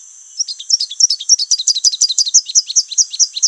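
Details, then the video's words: Rufous-capped warbler (Basileuterus rufifrons), an insect-eater, sings a fast, accelerating run of high, sharp chips and slurred notes, about five per second, with a faint steady hiss behind. "O canto do Pula pula de capuz vermelho"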